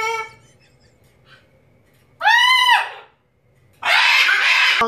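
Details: A female pet macaw singing while dancing: a brief nasal note, then a loud, arching squawk that rises and falls, followed by a long, harsh, raspy screech in a quiet room.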